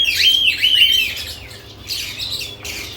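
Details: Lovebirds at added nest boxes: a rapid run of harsh, shrill chirps in the first second, then softer scattered chatter from several birds.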